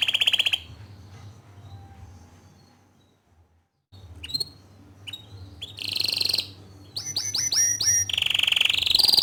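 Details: Bottle-green canary singing loudly, offered as tutor song for young canaries: short bright chirps, then a pause near silence, then sweeping notes, a buzzy burst and fast repeated downslurred whistles building into a high trill, with low background hum.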